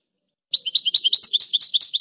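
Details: European goldfinch singing a quick run of high, tinkling, rhythmic chirps alternating between two pitches, about a second and a half of lively twitter with a quiet background.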